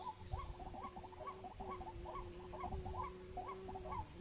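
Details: White-breasted waterhen (wak-wak) at a snare site: a run of quick hooked notes over a steady humming tone and low rumble.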